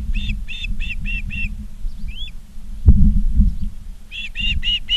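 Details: Ospreys at Charlo, Montana, on a live nature cam, 19 August 2023 at 16:05: loud, clear whistled chirps in rapid runs of about five, a pause with a softer slurred note and a knock, then another fast run, over low rumble.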